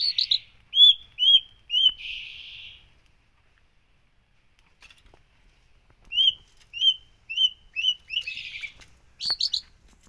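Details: Long-tailed shrike singing in the 'full isian' fill-in style. Short clear whistled notes repeat about twice a second and end in a buzzy note. A quiet pause follows, then the whistled series and a harsh burst return.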